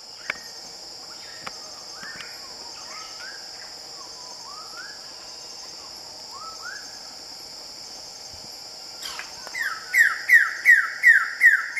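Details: A male Wilson's bird-of-paradise (Cicinnurus respublica) on Waigeo, calling while clearing leaves from its display ground, gives a quick run of loud, sharp, slurred notes, about two per second, after softer rising notes, over a steady high insect drone.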